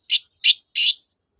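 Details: Long-tailed shrike, recorded to provoke silent shrikes into song: three loud buzzy harsh notes, the last one longest, in quick succession and followed by silence.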